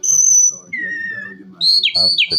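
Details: Calandra lark giving a long, high, pure whistle, then a lower, slowly falling whistle, followed by quick, looping high notes that dip and rise again, over a soft low murmur.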